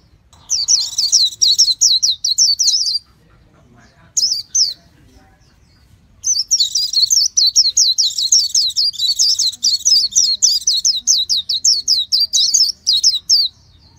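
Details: Japanese white-eye delivering high, thin warbling phrases: a burst of quick slurred chirps, a brief snatch after a silence, then a long unbroken torrent of twittering notes lasting about eight seconds.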